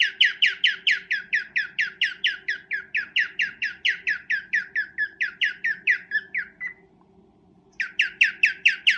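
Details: Cockatiel mating call during breeding: a fast series of harsh, ringing chirps, about two per second, running for nearly seven seconds, a short pause, then the chirping starts again; a faint low hum sits underneath.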